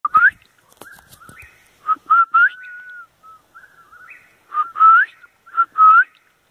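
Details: An Eastern Whip-poor-will calls nearby in fairly strong light, heard from a roof: clear whistled phrases, each three-part with a rising final note, repeated in bursts, likened to "I will"; softer, lower whistles fill the gaps.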